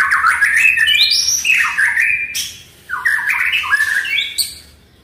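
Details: Oriental magpie-robin (murai batu) song played to prompt a silent bird to sing: loud, varied phrases of sweeping whistles rising and falling, dense chattering notes between, a brief pause midway, low hum beneath.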